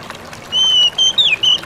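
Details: Ngalas song of an Oriental magpie-robin, meant to draw replies from other magpie-robins: a long level whistle followed by short rising and falling whistled notes, against a quiet hiss.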